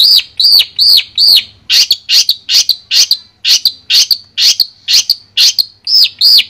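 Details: Long-tailed shrike, Madura type, in clear masteran song. Several arched whistled notes come first, then harsher, buzzier notes mixed with clipped whistles, delivered in a brisk, slightly uneven series of about two per second.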